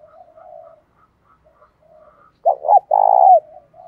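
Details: Spotted dove calling in the 'giọng đồng pha thúc bổi' style: soft low hums and faint coos, then a loud burst of two short arched notes followed by a long rolling, buzzy coo ending in a downward slur.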